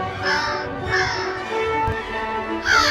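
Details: An American crow, one of the crows visiting backyard feeders, gives three harsh, hoarse caws, the last after a longer pause, over soft background music.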